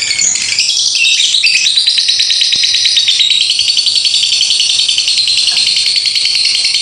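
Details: Extended lovebird 'ngekek' chatter from a bout of more than two minutes: loud, uninterrupted, high and buzzy rattling with very rapid pulses and a steady sweeping pitch.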